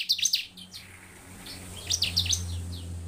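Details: Bar-winged prinia chirping vigorously as a lure to get other prinias singing: quick bursts of high, sharp notes in two short clusters over a steady low background hum.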